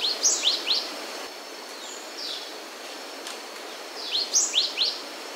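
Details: Cinereous tit singing high, sharp upslurred notes in rapid clusters, one burst at the start and another after about four seconds, with a few scattered faint notes between, over constant environmental hiss.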